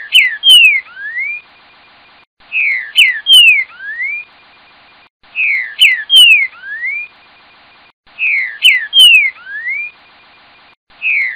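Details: Green-winged saltator (trinca-ferro) song of the "tel tel fiu boi" type, one rich whistled phrase repeated about every three seconds: a few quick slurred notes that drop, then a rising final whistle, over faint hiss.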